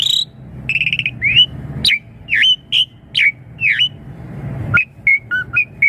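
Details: Asian pied starling song used as a lure for young birds: a buzzy opening, then loud downslurred whistles about every half second, followed by a quick series of clear two-pitched whistled notes, over a low rumble.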